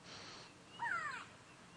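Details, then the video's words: Grey go-away-bird giving a single nasal, drawn-out alarm call that bends downward, under half a second, over soft hiss, on a South African safari at sunrise in late October; the birds alarm because a leopard is sitting nearby. "now you can hear the go away Birds alarming"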